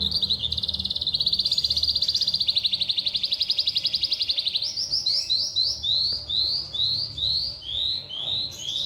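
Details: Oriental skylark in song: a long rapid trill held for several seconds, then a run of repeated sweeping high whistled notes, with faint low background hum.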